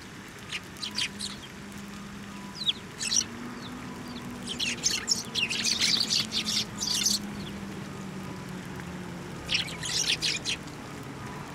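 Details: Sparrows being fed on posts and by hand at a Tenmangu shrine, 24 November 2023; clusters of harsh, high chirps in bursts around three, five to seven and ten seconds over a steady low drone.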